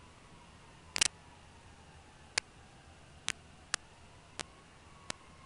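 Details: Quiet hiss broken by a handful of sharp, irregular clicks and taps, about six in five seconds, with no calls.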